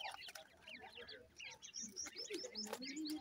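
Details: Young francolin chicks at feeding keep up quick, thin, falling peeps, roughly two or three per second, overlapping from several birds, plus a few lower chirps.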